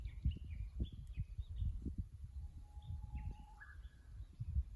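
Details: Japanese bush warbler singing at a tank driving course in Kusu, Japan, on 24 April 2025, caught by a fixed camera: a long, level low whistle slides up into a short higher note, among other chirping birds over steady low rumble.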